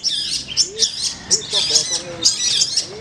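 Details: Long-tailed shrike at a bird singing competition training event in Manden, singing a busy string of high, scratchy notes and squeaky phrases in quick bursts, with low tonal sounds underneath.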